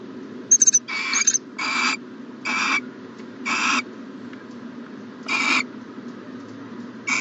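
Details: An owl in a nest box on the morning of 14 January 2020. A few thin high squeaks open the clip, followed by a run of short hissing screeches, then a pause and two more, over a low hum.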